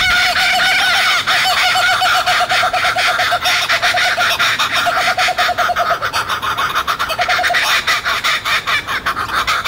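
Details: Laughing kookaburras in Sydney, Australia, calling together in a family chorus to establish territory, most often at dawn and dusk; loud, raucous, continuous cackling laughter of rapid overlapping notes throughout, with no pause.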